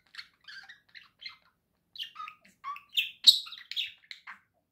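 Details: Budgerigar kept as a pet, warbling with fast squeaky chirps and scratchy notes, including one loud piercing squeak near the end of the run.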